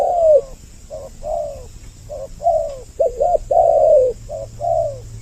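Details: Spotted dove lure meant to bring males and females close, in a doubled voice: low coos alternate short and drawn-out falling notes, about eight phrases, with a faint steady hum underneath.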